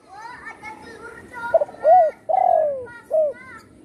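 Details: Spotted dove, once shot with its wing broken and now kept at home, singing vigorously: after faint softer sounds, a coo phrase of a quick stutter, a rounded note, a long falling coo and a final short coo.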